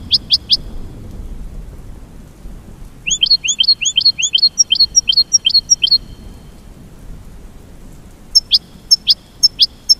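A goldfinch gives bright, high twittering chirps, each note sweeping upward, in three quick bursts over a soft low rumble like distant rain.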